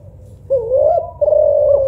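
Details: Spotted dove, either a local tekukur or a Kelantan derkuku, compared for soft, melodious cooing; after a quiet start come two smooth, level, drawn-out coos, the second steady and sustained.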